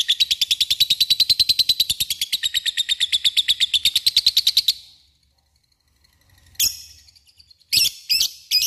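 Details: Long ngekek trill of a lovebird, used to call an opponent and stir others to sing: nearly five seconds of rapid, piercing, evenly pulsed notes, then a pause and a few isolated sharp chirps.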